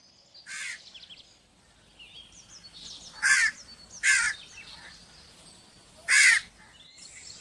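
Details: Crow giving loud, harsh caws, four strong single caws spaced irregularly over several seconds, with faint chirps from smaller birds in between.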